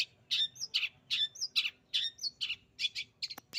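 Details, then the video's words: Long-tailed shrike (bukakrodong) directly imitating canary song: a series of short, harsh, scratchy notes mixed with brief thin whistles, delivered about two per second, ending in quick clicks. "Bukakrodong langsung nembak kenarii"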